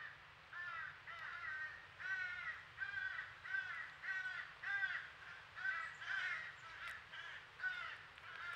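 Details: Fledgling crow begging at a squirrel feeder in Nova Scotia, Canada, with its crow family nearby: a run of about nine nasal, harsh cries at fairly steady intervals, heard at some distance and fairly faint.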